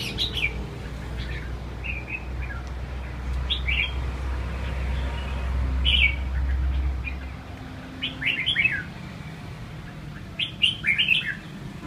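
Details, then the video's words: A captive, prize-winning red-whiskered bulbul of eight moult seasons, lively and refusing to bathe, gives short, bright chirping notes in scattered bursts, quickening near the end, over a steady low mechanical hum. "Chào mào "Gorilla" quậy tưng bừng không chịu tắm"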